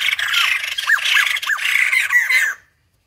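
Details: Wild-caught white-crested laughingthrush singing: dense, harsh, chattering cackle with repeated arched whistled notes woven through, loud and continuous for two and a half seconds before stopping abruptly.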